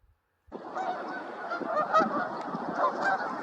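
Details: Canada Geese at Woods Edge Park: silence, then a dense, overlapping chorus of nasal honks starting half a second in and carrying on without a break.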